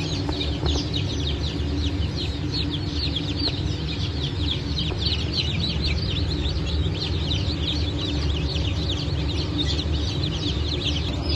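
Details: Group of freshly hatched Brahma, Phoenix, Sultan and Appenzeller chickens, 9 May 2024, peeping nonstop: dense layers of thin, high descending cheeps over a constant low humming background.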